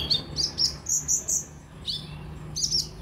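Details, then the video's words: Kolibri ninja sunbird, used to get newly bought caged birds singing: a quick series of piercing high chirps in short clusters, with a downward-sliding note in the middle, over faint background hum. "terapi ampuh buat konin biar gampang bunyi dan gacor"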